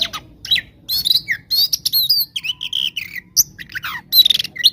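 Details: Oriental magpie-robin in full fighting song, a gacor tarung konslet style used to provoke rival birds: rapid, varied, high whistled and buzzy phrases, sharp chirps and slurred notes packed densely with brief gaps.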